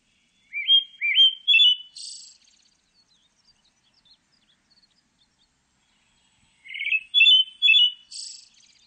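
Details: Pale thrush song in two short phrases about four seconds apart, each a few clear whistled notes stepping upward, then ending in a high, thin, buzzy twitter. The background is quiet, with a few faint soft ticks between phrases.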